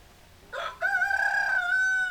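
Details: Rooster crowing: a short rough opening note, then a long sustained harmonic call that holds steady and fades slightly at the end, no other sounds.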